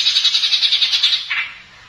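A Greater Green Leafbird pours out a fast rolling trill of high, bright notes, pulsing about eight times a second, then ends on a shorter sliding phrase.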